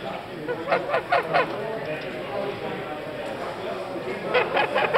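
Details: White domestic geese at a poultry show held in Oberdorf, France, on 8 July 2012; two bursts of short, harsh, nasal honks, four in quick succession early on and a few more near the end, over a steady murmur of people talking.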